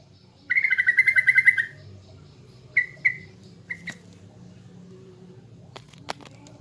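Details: Sooty-headed bulbul from East Java delivering a lure song: one fast, even trill of about a second, then a few isolated short notes and sharp clicks against quiet background.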